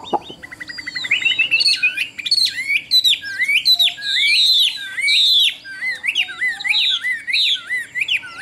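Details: Caged Chinese hwamei offered by a Vietnamese bird trader, praised for fine build and a good singing voice, delivering a rich, varied song of loud slurred whistles and rapid looping phrases that build into repeated descending swoops.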